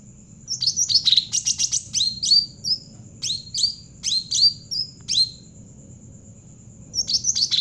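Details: Javan cucak ranting bulbul singing energetically, kept as a lure to train other birds: bursts of high, sharp chirps and short downslurred whistles, some in rapid trills, then a pause, with a steady high ringing tone behind.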